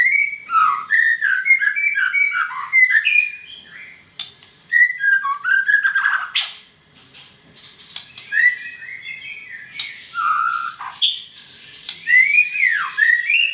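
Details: Long, varied performance by a white-rumped shama from Medan: tumbling whistles dropping and rising, harsh rasping bursts, a brief silence, then renewed fluty phrases with downward swoops.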